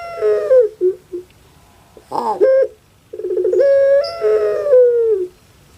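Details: Household puter pelung dove from Java with a falling wail and short hiccuping notes, a gurgled rising flick, then a long trilled rattle swelling into a sustained crying coo that fades downward.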